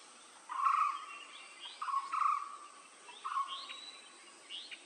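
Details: Blue-throated barbet calling: a few rolling, trilled low notes in short bursts about a second apart, with fainter higher chirps from other birds and a steady high insect-like hiss behind.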